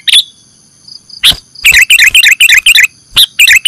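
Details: Sooty-headed bulbul calls used as a bird-catching lure: one sharp chirp, a thin whistle, then a fast run of short bubbly chirped notes in quick clusters, each dipping and rising, with a faint steady electronic hum.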